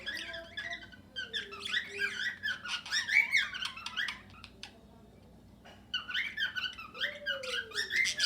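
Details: Many cockatiels and budgerigars in one aviary: steady, crowded chirping and squawks from numerous birds, with a low gliding whistle at start and end.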